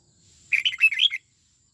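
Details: Red-whiskered bulbul kept in a cage and trained to sing the "89 xoắn tít" style: one quick, rich phrase of about seven slurred, bubbling notes lasting under a second, clear against a quiet background.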